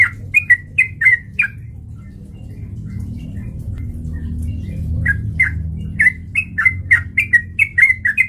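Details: Sooty-headed bulbul lure song to trigger fighting: rapid bubbly whistled phrases, a short gap with low rumble, then another quick, chattering series of bright slurred notes.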